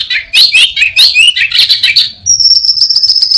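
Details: Mimicking orange-headed thrush sings a fast run of sharp, rising-and-falling chirps and twitters, then holds a thin, level high whistle to the end; its repertoire borrows prinia, cirtu and cat sounds.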